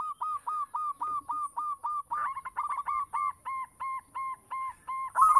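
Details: Local zebra dove singing as a lure for other doves: an even, steady series of short low coos, about five each second, soon joined by a second, higher-pitched repeated voice alongside it.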